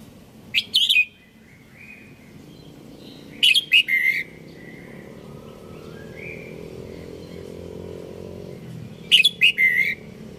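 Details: Red-whiskered bulbul giving three brief, lively whistled phrases at irregular gaps of roughly three to five seconds, each a rapid bubbling cluster of notes, over a soft low background hum.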